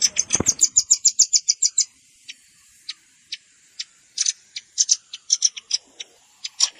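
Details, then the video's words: Lure recording of red-billed rambatan with juvenile calls mixed in: a fast two-second chip run, then widely spaced high notes and small clusters. "SUARA PIKAT BURUNG RAMBATAN"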